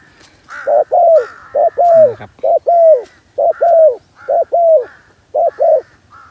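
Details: Decoy spotted dove cooing to lure wild doves. Regular paired hollow notes, a short coo then a longer descending one, come about once a second, with a brief low voice near the middle.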